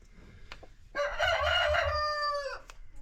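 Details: Free-range farm chickens kept with new baby chicks; a rooster gives one loud, strained crow of about a second and a half, holding a rough level tone before tailing off, with quiet farmyard background before and after.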